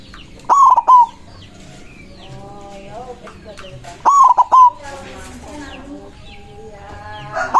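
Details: White zebra dove in full, powerful song aimed at rivals, giving two rolling, stuttered coo phrases about three and a half seconds apart, each finishing on a sustained tone, with softer background birds in the gaps.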